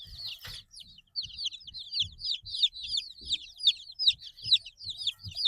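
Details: Eight-day-old domestic chicks peeping in a group, a dense stream of high, short, downward-slurred chirps overlapping continuously, with soft low thumps beneath.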